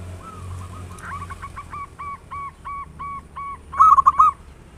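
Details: Local zebra dove singing to stimulate other doves: a steady series of soft, evenly spaced cooing notes ending in one loud, ringing burst, over low background hum.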